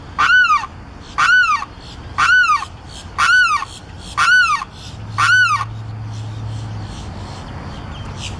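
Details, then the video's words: Limpkin calling up close from a boardwalk railing at Celery Fields, Florida: loud, harsh, arched wailing cries repeated about once a second, six in a row, then a low steady hum beneath the background noise. "Limpkin up close and calling"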